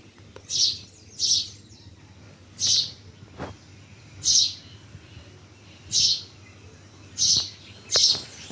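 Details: Bird chirps recorded in Bhimtal: seven sharp, high-pitched chirps spaced roughly one to one and a half seconds apart over quiet background hum.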